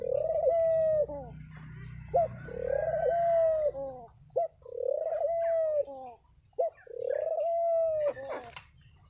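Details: Spotted dove thổ pháp song, meant to provoke males and females: four arched coo phrases, each a short sharp note followed by a long smooth coo, repeated about every two seconds over a low hum.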